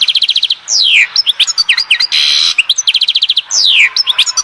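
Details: Goldfinch song from Oued Zhour in Skikda: quick runs of repeated tinkling notes, long downward-sliding whistles and two rasping buzzy bursts, delivered loud and close in an unbroken flow.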